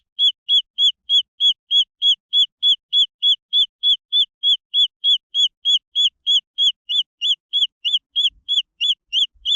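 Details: Green junglefowl chicks keep up rapid, evenly timed high peeps, over three per second, with a second, slightly different peeping voice joining near the end.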